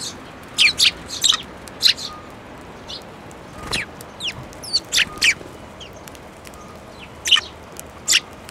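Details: Sparrows coming to a hand for food at a Tenmangu shrine, recorded 7 May 2024. Sharp, high chirps come in irregular bursts, sometimes doubled, with brief gaps between groups against a quiet, hissy background.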